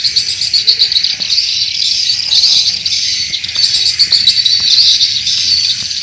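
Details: Swiftlet chorus used as a farming lure in Indonesia. Shrill twittering overlaps without pause, with brighter chirps standing out now and then and some loudness swells.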